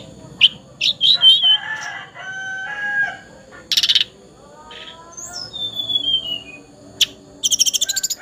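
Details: Spotted juvenile hill blue flycatcher singing: sharp high chips and brief whistled slurs, a long descending whistle, and a fast trill at the end, mixed with steady tonal sounds.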